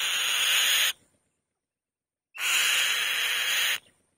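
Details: Female white-tailed kite on the nest giving a loud call: two harsh, hissing rasps about a second long, each opening with a brief whistled note, separated by silence.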